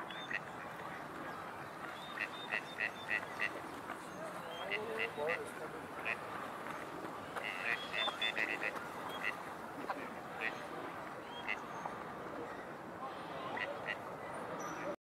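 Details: A paired male Gadwall (Mareca strepera), a usually silent duck, gives short, quiet, nasal quacks in irregular bursts, several a second, warning a rival drake a few yards away to keep away from his mate, over a steady hiss.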